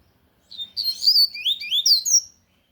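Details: Loud Tui Tui song of a lined seedeater, a brisk two-second phrase of high sweeping whistles and slurred chirps that rise and drop quickly, with no other sounds around it.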